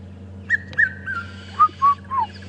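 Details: A red-chested cuckoo perched atop a tree on a morning safari drive in Djuma/Arathusa game reserve, 19 January 2015, gives its three loud falling whistled notes, "Piet my vrouw", after earlier whistles, over a low engine hum.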